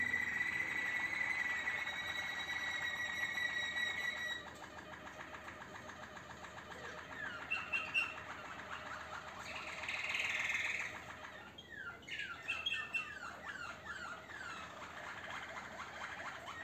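A Malinois canary sings rolling, watery trills and bubbling tours in a steady, rapid stream.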